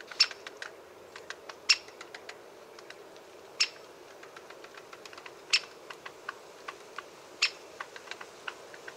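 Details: A great spotted woodpecker (Dendrocopos major) gives sharp, loud 'kik' notes about every two seconds, with fainter clicking notes between them over a low background hum.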